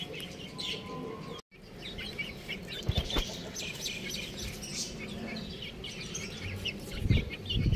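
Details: Baby chickens chirping: scattered short, high peeps come irregularly over a low rumbling background, with a brief silent break near the start.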